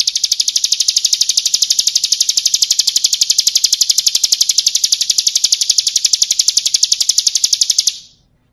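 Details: Full-fill ciblek kristal song of a bar-winged prinia, recorded for training cage birds: about eight seconds of fast, unbroken, uniform high-pitched chipping, stopping abruptly into quiet.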